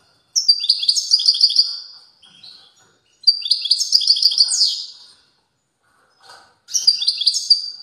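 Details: Strong song of a European goldfinch, three bursts of fast liquid twittering and buzzy trills, each lasting about one to two seconds and separated by short silences.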